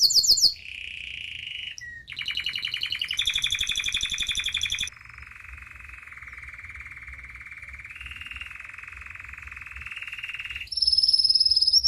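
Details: Canary from the United States in full song: a high trill, then buzzy rolling tours at mid pitch, a long sustained fast rattling trill lasting about five seconds, and a final very high bright trill.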